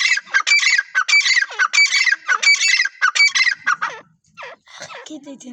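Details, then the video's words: Partridge (teetar) calling: loud harsh repeated notes in rapid series, about one and a half per second, each a broad squawking burst, fading into softer scattered calls near the end. "teetar ki awaz"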